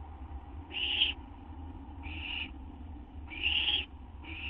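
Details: Owl just after midnight on 8 September 2011, anticipating a gopher or vole treat. Loud rasping screeches alternate with softer hissing ones, four in all, over a steady low drone.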